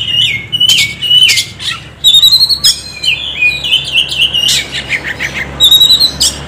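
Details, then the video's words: An Oriental magpie-robin sings a lure song used to stimulate birds into singing: bright whistled notes and quick chirps, some slurred, delivered in short varied bursts with brief gaps. "SUARA KACER PIKAT |KACER MALAS BUNYI JADI GACOR"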